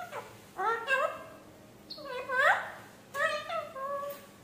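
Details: A talking parrot copies human speech with three bursts of voice-like syllables that bend upward and down, each separated by a short silence.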